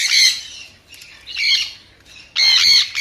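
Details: Sun conure giving three harsh, piercing squawks with strong bright overtones, each burst lasting under half a second and separated by short quiet gaps.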